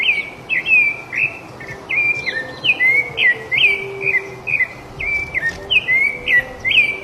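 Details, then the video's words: Loud rufous-bellied thrush song in the wild: rhythmic, evenly spaced whistled phrases, each a rich slurred note, repeated continuously for several seconds over light background noise. "SABIÁ LARANJEIRA CANTANDO MUITO SOLTA NA NATUREZA LINDO CANTO DA SABIÁ LARANJEIRA"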